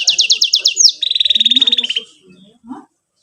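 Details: Canary trilling as a master song for young canaries learning to sing; a fast high trill slides down into a lower even roll, then fades out to soft low background sounds.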